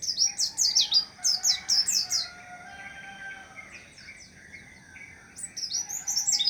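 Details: White-eye singing rhythmic runs of piercing, downward-swept chirps, a softer middle passage of thin notes, then a renewed fast, high twittering phrase.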